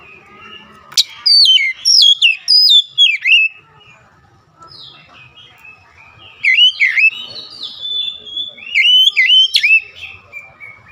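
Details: Oriental magpie-robin delivering runs of rich whistled phrases, sliding and looping notes clustered in two loud bursts with a quieter gap between.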